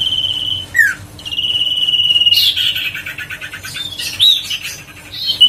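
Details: Huyt co bird, played to lure birds and to stir a lazy bird into singing: long steady high whistles, a short falling slurred note, then a burst of rapid, buzzy chattering notes and twittering phrases.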